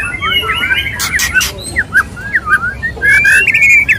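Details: Mating song of a male white-rumped shama addressing a female: tangled fast whistles, harsh buzzy bursts, then spaced short slurred notes and a final bright rising whistled phrase.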